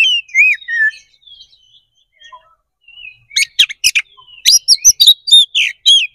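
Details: Fighting-style kacer (Oriental magpie-robin) song meant to trigger a reply: a falling whistled phrase, a quiet pause with faint notes, then a dense burst of rapid sharp chips and ringing whistles.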